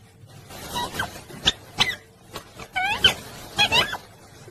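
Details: Talking pet parrot in India gives scattered short chirps and curved, harmonic squawks at moderate volume, with quiet pauses between bursts and a faint low background hum.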